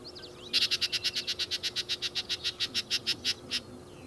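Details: Yellow-breasted chat giving a fast, even series of about twenty harsh, dry notes, roughly seven per second, for three seconds against a quiet background.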